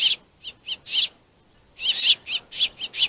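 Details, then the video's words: Finches squabbling over a plentiful food source, giving harsh, raspy bursts in two clusters: four short notes, a pause, then six rapid scratchy calls. "Pissy Finches"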